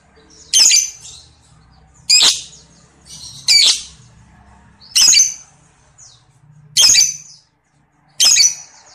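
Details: Lovebird giving harsh, sharp squawks about every one and a half seconds, six in all, with faint low hum between calls; a clean recording used as a lure to prompt other lovebirds into ngekek singing.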